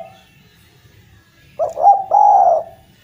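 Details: Javan collared dove (derkuku jawa) in vigorous song, played to get stalled doves calling again: after a brief fading coo, one full phrase of two short hoots and a long steady low coo, little background noise.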